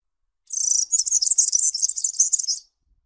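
A corn bunting gives one dry, high jangle, like a bunch of keys being shaken, lasting about two seconds. Nothing else is heard.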